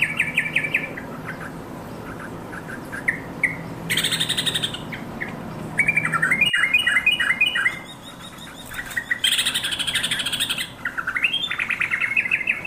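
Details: Calls of the yellow-vented bulbul as it summons companions, sung vigorously. Rapid chattering runs of liquid notes, some rising and some falling, come in irregular bursts. They are interleaved with loud, rasping, hissy scolds, and there is a short quiet gap partway through.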